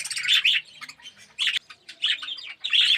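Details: Budgerigars, red-eyed yellow birds kept in an aviary colony, giving short, bright chirps and warbled notes in bursts separated by quieter gaps.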